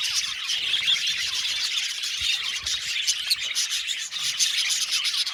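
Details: Aviary-kept Australian budgies chatter continuously, dense high chirps and short squeaky notes overlapping in an even, lively twitter.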